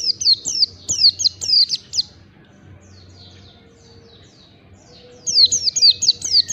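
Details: Oriental white-eye training song for caged birds to get them singing: a run of bright, high, downward-sweeping chirps, a quiet gap with soft background twitter, then the rapid chirping resumes.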